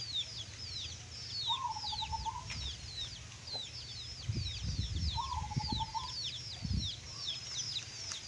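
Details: Local zebra dove of the songgo geni bedah bumi line, singing in the klongklung style: two rolling, beaded coo phrases several seconds apart, over steady high chirping from other small birds and low background rumble.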